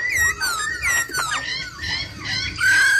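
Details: Laughingthrush, with a female laughingthrush's rolling "ro ro" calls used to stimulate singing, pours out loud, rich whistled phrases, with sliding notes rising and falling quickly and ending on a long, steady whistle.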